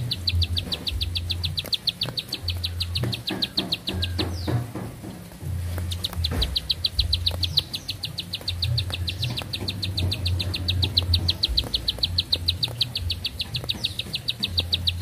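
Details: Bar-winged prinia delivering a long series of high, rapid, even notes, pausing briefly near the middle where a few sliding whistles and clicks are heard, then resuming, over a low hum.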